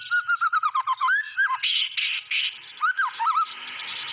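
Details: White-rumped shama singing a rapid string of repeated short notes, then a rising whistle, buzzy harsh bursts and a few low looping whistles over a steady background hiss.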